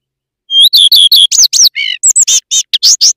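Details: Common redstart song, loud and close: opens with a clear, repeated whistled note, then breaks into a fast varied twitter of slurred, buzzy and chirping notes. The background is silent.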